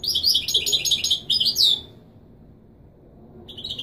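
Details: Authentic Marrakchi Widani song of a European goldfinch, used to teach fledglings: nearly two seconds of dense, high, chattering trills ending in a sliding note, silence, then a fresh phrase beginning.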